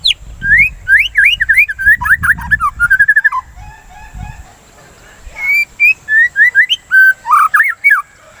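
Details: White-rumped shama singing, used to stimulate song: a rapid burst of varied whistles, low rumbling noise underneath, then a pause and a slower run of clear whistled notes.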